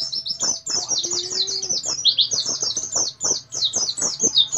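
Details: A captive Oriental white-eye pours out a long, dense, unbroken stream of very high, rapid twittering notes with short gaps, soft knocks and clicks underneath; its song is used as a master recording for training other white-eyes.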